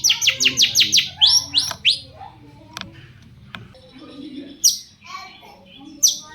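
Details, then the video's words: Shrike song played as a lure to make other shrikes answer: a fast run of repeated descending high notes, then scattered sharp chirps and a few downward-swept whistles. "cendet gacor pancingan burung cendet agar cendet bunyi INI AMPUH BIKIN burung cendet lain NYAUT"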